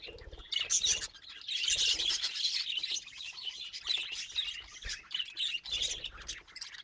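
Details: Parrot calling outdoors among natural surroundings, with bursts of high, rapid chirps and twittering chatter broken by short quiet pauses and faint low thumps.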